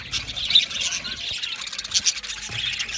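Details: Australian budgies chirp and squawk in a short burst of fast, high, scratchy notes, several voices chattering together without pause.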